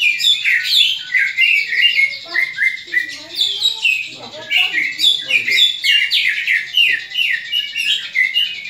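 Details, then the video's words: Aggressive fighting call of a greater green leafbird, meant to stir other leafbirds' fighting spirit; loud, continuous rapid chattering and high whistled notes packed densely throughout. "CUCAK IJO TARUNG INI, COCOK UNTUK MELATIH MENTAL TARUNG CUCAK IJO LAIN"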